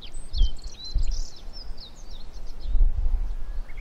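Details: Male black-faced bunting in the North Fuji training area, Japan, on 20 July 2015, singing thin, high chirping and trilled notes in quick short phrases, partly masked by a steady low rumble of wind.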